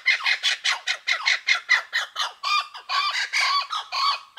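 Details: Angry-sounding cackling of blue-winged kookaburras in Australian wilderness woodland, Kakadu and Arnhem Land. A rapid chain of rough, clipped notes pours out for two seconds, then slows into longer, hoarse, screeching squawks.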